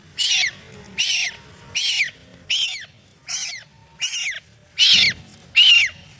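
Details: Distress peeps of a scared duckling: eight piercing, falling cries repeated steadily about every three-quarters of a second, each brief and strained, with near silence between.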